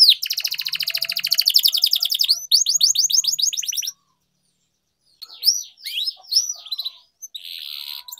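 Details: Canary song used for singing training: long fast trills of high buzzy notes, a pause, then looping downward-sweeping whistles and a rattling trill.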